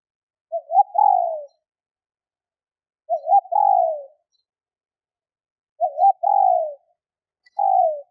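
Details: Spotted dove hen's call for stimulating males: four cooing phrases at intervals of about two and a half to three seconds, each a short rising double note then a longer falling coo, clean background.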